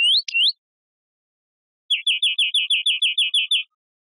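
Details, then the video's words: European greenfinch singing: two quick upslurred whistled notes, a pause, then a fast even series of about eleven short rising chirps. "Carduelis Chloris Verderon song"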